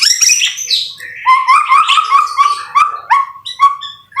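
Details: White-rumped shama training song recorded in rain. A high whistled opening leads into a rapid series of clear, rising whistles and sharp chips, with varied, tumbling phrasing and brief gaps.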